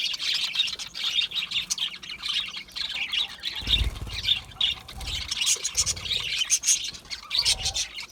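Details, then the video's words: Budgerigars kept in an aviary squawk and chatter with repeated harsh chirps, overlapping calls from several birds, plus low thumps and background rumble. "Budgie chirping sounds"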